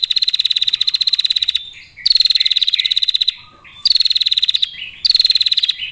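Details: Female prinia used as a lure for other prinias: four bursts of fast, clear ticking trills, each about one to one and a half seconds, with brief chirps and a low note in between.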